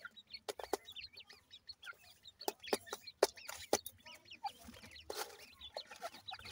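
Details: Grey francolin chicks while being fed, high wavering peeps crowding together, partly masked by frequent sharp clicks and knocks repeated about twice a second.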